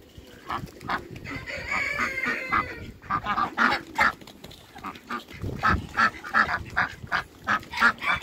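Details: Pekin ducks, two drakes and a female, at a waterbird farm: loose nasal calling gives way to a steady run of loud honking quacks about every half second near the end.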